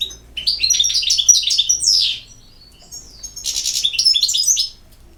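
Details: European goldfinch twittering in two phrases, a lively string of high chirps ending in a falling slur, a short silence, then a denser buzzy burst.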